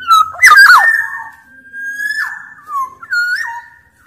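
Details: Sumbawa Black-naped Oriole singing actively, used as a lure to set other orioles calling: an opening cluster of harsh, twisting whistles, then long smooth fluty notes gliding downward, and a final whistled phrase.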